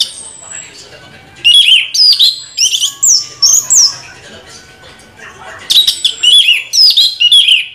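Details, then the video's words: Continuous rolling 'ngeroll' song from an Orange-headed thrush: loud, varied whistled slurs rising and falling, grouped in quick phrases, pausing briefly before another lively burst of high twittering notes. "Anis merah ngeroll BoCOR"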